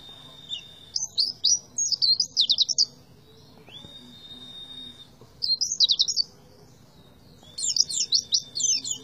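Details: Oriental white-eye tembakan song: three bursts of fast high twitters and trills, separated by a long pure whistled tone, with a faint low background hum.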